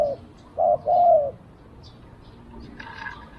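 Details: Spotted dove used as a decoy to lure wild doves, giving two short cooing notes, the second a longer steady coo, followed by quiet background with faint chirps from other birds.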